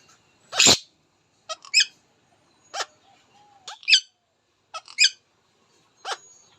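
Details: Indian ringneck parakeet talking: a loud broadband burst, then short squeaky, bright syllables with quick rising and falling inflections, spaced about a second apart with brief silences between.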